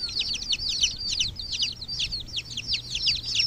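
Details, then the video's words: Several chicken chicks give high, piercing peeps that slide downward, packed tightly and overlapping through the whole short stretch over a soft low hum. "Sonido de pollitos"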